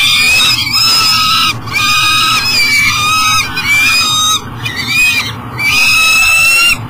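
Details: Peregrine falcon unable to enter its nest box with food, at a power station site on the Mississippi in Minnesota: loud, insistent, harmonic wailing calls repeated in long bouts with brief pauses, over a persistent low rumble.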